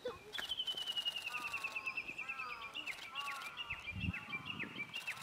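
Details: Japanese bush warbler singing outdoors: a long, steady whistled series of quick, sharp notes held near one pitch for about five seconds, with softer lower slurred whistles from another bird underneath and a brief low thump near the end.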